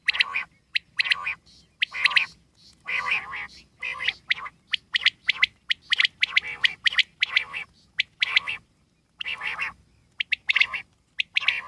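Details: Wild common quail calling in a dense run: sharp clipped triple notes mixed with harsh, nasal buzzy notes, repeated roughly once a second with short silent gaps.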